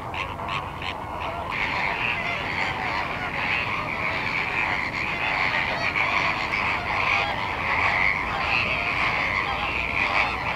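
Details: Flamingos at the salt lake in Larnaca, Cyprus: a dense, unbroken chorus of nasal honking and gabbling from many birds at once. A few sharper pulsed calls stand out in the opening seconds.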